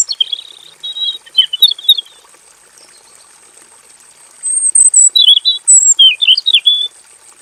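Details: Long rolling song from a male robin kept in a simple aviary: a first burst of chattered warbling, a pause, then rapid repeated chirps and twisting whistled notes, roughly four per second, over a steady high whine.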